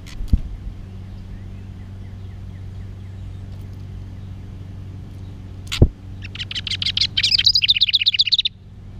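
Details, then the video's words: Hermit thrush (identification not certain) giving one short phrase of quick, fluty, rippling notes that jump higher partway through, over a steady low engine rumble and a couple of knocks. "Hermit Thrush Singing"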